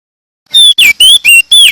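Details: A male crested white-eye, locally called opior jambul or prenjak daun, from NTT, sings in a loud, continuous rolling style (gacor, ngerol). Five short, sharp whistled notes come in quick succession, each one bending down or up.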